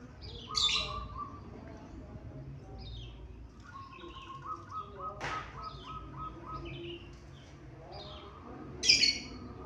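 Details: Local Indonesian zebra dove singing a run of about seven evenly paced mid-pitched coos in the middle, amid loud sharp high chirps and trills from other birds and a brief whooshing burst.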